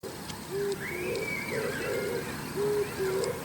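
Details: Oriental turtle dove calling in the morning while preening on an antenna: low, hoarse cooing phrases, two smooth notes then a rougher burred pair, over steady background hiss, with a thin rising-and-falling whistle from another bird overhead.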